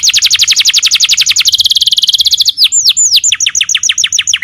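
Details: Canary singing as bait to set off another canary: a rapid high trill of repeated notes, then a run of separate curved whistles sweeping down, loud and clear.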